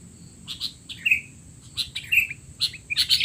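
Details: Short burst from a sooty-headed bulbul in noisy 'teler' style, a tutor sound for young bulbuls: a few clipped chirps and bright whistled squeaks, building to a busier cluster at the end.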